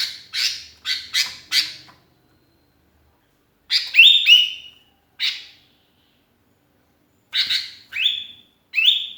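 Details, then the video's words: Sooty-headed bulbul singing persistently, a lonely bird calling for companions, used as a lure: a few harsh chattering notes at the start, then rising whistled phrases with bright buzzy endings, repeated in quick bursts against a quiet background. "kutilang kesepian gacor mangil kawan jos buat pancingan"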